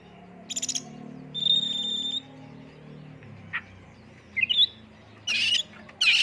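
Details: Lure recording of oriental magpie-robin in 'full isian tembakan' style: scratchy bursts, a long pure high whistle, quick twittering notes and loud harsh rasping blasts near the end, over a low humming drone.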